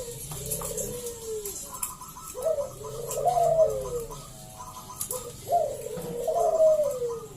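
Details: Local wild zebra dove (perkutut) in full voice, singing to lure other doves into calling: low, mellow descending coos in repeated phrases, each followed by a quick rattling series of higher notes, with faint background hiss.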